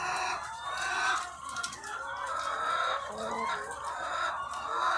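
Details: Thousands of egg-laying chickens on a farm: constant overlapping clucking and cackling, some longer wavering calls standing out, with a faint low hum.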